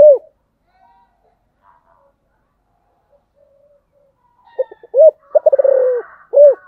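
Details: A 'giọng thổ' song from a spotted dove: the tail of one phrase ends at the start, then a long quiet pause with faint soft notes, followed by a complete phrase of stuttered notes, a rolling pulsed coo and a closing arched note.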